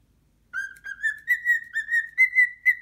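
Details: Frightened pet cockatiel facing its first muscat grape indoors. After half a second of quiet, about nine bright whistled notes run together, edging gently upward in pitch.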